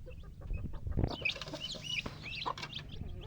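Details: Chicken chicks giving a few short, bright, arched peeps scattered over steady low rumbling background noise and occasional knocks.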